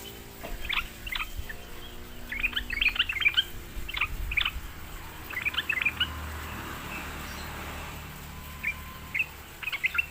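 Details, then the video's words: Sooty-headed bulbul, a bird described as reluctant to sing, lured into answering: short bright chirping phrases in scattered bursts of three to five notes, with a faint low background hum. "sekali di pancing trucukan malas bunyi pasti Nyaut gacor"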